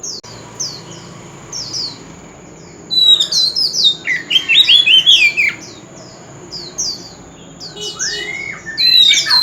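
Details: Oriental magpie-robin, an old bird from the forest, singing loudly at a street corner. Repeated falling high chips give way to a loud, fast medley of twisting whistles and trills, then a rising-falling whistle and more chips, over a steady faint tone.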